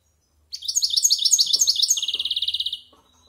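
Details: Singing European goldfinch over one year old, a silvestrismo bird practising its varied song. A run of bright, slurred twittering notes, about four per second, gives way to a quick pulsed trill before it stops.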